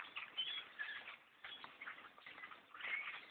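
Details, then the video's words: Thousands of black birds swarm a hunter's tree stand during a bow hunt, a dense roar of overlapping chattering calls with brief whistled notes and soft wing-flutter throughout. "attack of the black birds in a tree stand"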